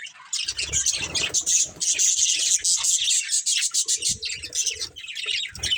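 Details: Chattering from a breeding pair of budgies: rapid bright chirps and raspy warbled notes running together, a few faint low bumps beneath.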